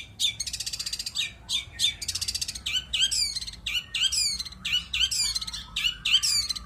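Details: Vigorous long-tailed shrike song with rich "isian" fill: buzzy rapid trills alternate with varied, sliding high notes delivered in quick succession.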